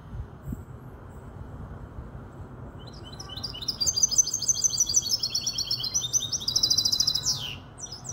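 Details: Song of a five-month-old goldfinch hybrid, kobiya Malaga, in Casablanca, Morocco. After a quiet start, a fast, high twittering phrase of rapidly repeated notes builds, then ends in a sweeping downward slur. Low hum behind.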